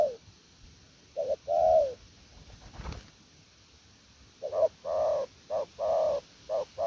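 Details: Wild-caught spotted dove in 'gù lèo nước' cooing: a couple of low, mellow phrases, a brief thump midway, then a faster run of short and longer coos near the end.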